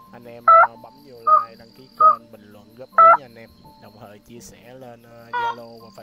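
White-breasted waterhen giving loud, nasal, croaking notes roughly once a second, then a pause and one more, over a steady hum and faint murmuring.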